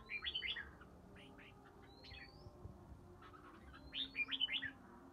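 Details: In early spring, a three-season red-whiskered bulbul from Ba Tơ gives ché-style singing: two clusters of sharp, bubbling chirps with a thin rising whistle between them, over faint low background hum.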